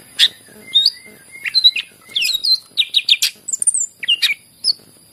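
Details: {'text': 'Song of a greater green leafbird, intended as a lure for other birds to sing. Sharp high chips are interspersed with whistled slurs and clusters of rapid, bright notes.'}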